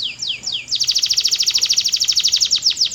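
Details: Canary singing: a few descending whistled sweeps, then a fast rapid trill of high pulses repeated steadily for over two seconds.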